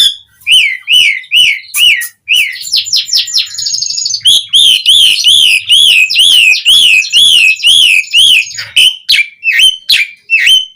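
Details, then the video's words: Asian pied starling singing energetically as a lure for other starlings. Sharp whistles and a rattling chatter lead into a long run of rolling, wavering whistles, roughly two each second, ending in abrupt downslurred calls. "Suara Jalak Suren Gacor Langsung Ampuh bikin Bunyi buat Pancingan Burung Jalak Agar Gacor Full Isian"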